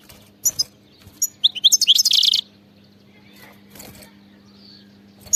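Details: European goldfinch, a wild bird, in bitbita-style song: a couple of isolated chips, then a rapid, liquid twittering phrase of about a second ending in a harsh buzzy trill, and sparse faint notes afterwards.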